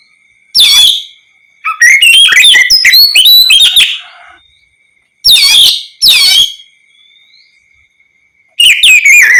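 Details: Oriental magpie-robin singing ngeplong to coax replies from other magpie-robins; short sweeping notes alternate with a long busy run of varied whistles, separated by gaps with a faint steady tone.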